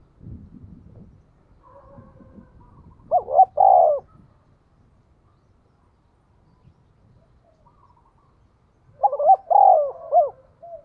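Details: Spotted dove used as a lure for wild doves, 'thúc' call, 'giọng thổ' voice: two short bursts of stacked hollow coos about six seconds apart, with low rumbling noise at the start and faint murmurs between.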